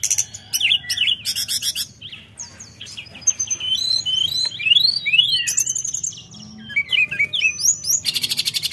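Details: Sunda robin in lively song: varied high whistled slurs and rising notes mixed with dense buzzy trills and rapid chip bursts, delivered in irregular quick phrases.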